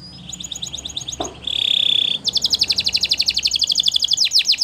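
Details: Belgian canary singing during training, soft high ticking notes, then a loud rolling buzz, then a rapid bright trill of repeated notes.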